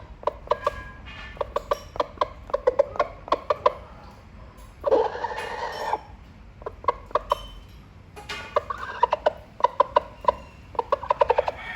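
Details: Rooster calling hens with rapid bursts of short, sharp clucks, clustered in quick runs with brief pauses, and one louder harsh squawk near the middle.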